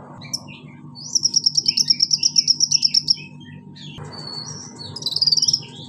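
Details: High, fast trill of clipped notes from a pygmy cupwing (konin), lasting about two seconds, then a few thin whistles and a short buzzy ending over a faint steady hum.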